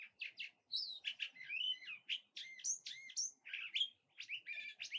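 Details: A cactus wren near its nest gives quick bursts of high, squeaky chattering notes, some rising and some buzzy, broken by short pauses; a curve-billed thrasher also calls in the area.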